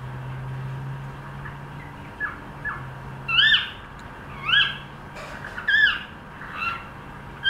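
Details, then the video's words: Cockatiel attempting song: a run of clear, bright whistled notes, each sweeping up then down, repeated roughly once a second and growing louder midway, with a faint low hum behind. "cockateil trying to sing"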